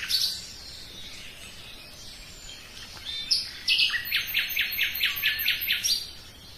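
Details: Song of a common nightingale: scattered high notes, then a sharp onset into a fast series of about seven repeated ringing, rattling notes delivered evenly, fading at the end.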